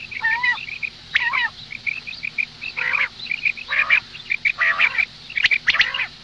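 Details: Female common quail calling, a recording meant for the morning: harsh, squawky bursts with stacked harmonics, each lasting about half a second, mixed with short, bright chipping notes, repeated roughly once a second.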